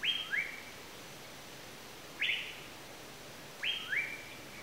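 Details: Asian paradise flycatcher uttering scratchy, buzzy calls, some in high-then-low pairs, three bursts spread across nearly five seconds over a quiet hissing background.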